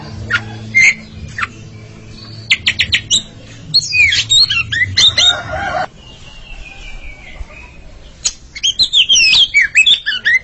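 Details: A pair of Oriental magpie-robins singing against each other: scattered loud whistled notes and harsh bursts with gaps, then a burst of rapid varied whistles near the end, over a low background hum.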